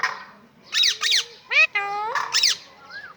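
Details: Talking pet parrot producing a run of rasping syllables, then clear harmonic, speech-like tones and a final short whistled upslur, all in close succession with little background noise.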